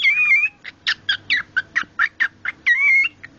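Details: Pet male cockatiel making his odd noise when shown cloth, here a smelly sock: a wavering whistle, then a rapid run of short squeaky chirps, ending in another wavering whistle.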